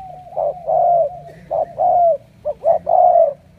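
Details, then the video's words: Super-cooing wild-caught spotted dove; low rounded coos, a short note leading into a longer falling one, then a quick double note before a final drawn-out coo, soft hum behind. "Tuyển đồng siêu gù"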